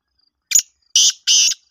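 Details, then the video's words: Black francolin calling: three loud, harsh, grating bursts, the first short and the next two longer and sustained, spaced about a third of a second apart, with a faint high insect tone in the background. "kala teeter ki awaz kala teter"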